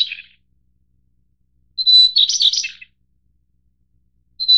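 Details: Taiwan-endemic White-browed Shortwing subspecies goodfellowi, from mid- and high-altitude mountains. A single full phrase: a pure whistled note slipping into a brief scrambled warble, framed by fragments of neighbouring phrases and silence.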